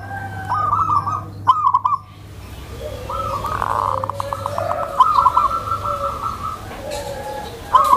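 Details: A tame zebra dove calls gently to lure other zebra doves, suited to training new birds; short rolled coo bursts, then a longer rapid run of notes, over a low droning hum.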